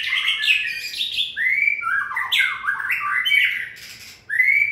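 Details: White-rumped shama in fiery 2020-season condition delivering a dense, loud song of slurred whistles, rattling chatter and upward sweeps, pausing briefly before a final rising whistle.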